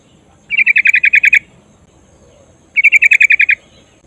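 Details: Female sooty-headed bulbul in rolling call (ngerol), calling the male: two quick bursts of about nine identical sharp chip notes each, evenly spaced, separated by a short silence.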